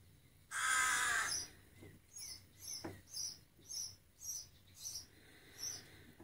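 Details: Rook fledgling cawing to be fed: one loud, harsh, hoarse caw early on, followed by a run of short, high, clipped notes repeated about every half second over a quiet background.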